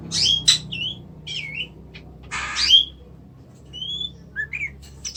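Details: Oriental magpie-robin (kacer) from Indonesia giving loud, varied song: sharp buzzy bursts and clear whistled notes, some rising and some falling, spaced irregularly with short quiet gaps, over a faint low hum.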